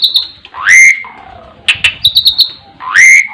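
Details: Jalak suren (Asian pied starling) in 'terkuku' song: a high thin note, a loud rising whistle dropping to a soft lower tone, a pair of clicks with a string of bright ticks, then another rising whistle.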